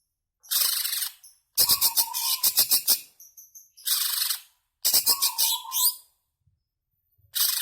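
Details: Greater green leafbird song meant to provoke caged birds into singing: loud bursts of rapid, rasping high chatter mixed with clicks and a steady mid-pitched whistle, phrases separated by short pauses.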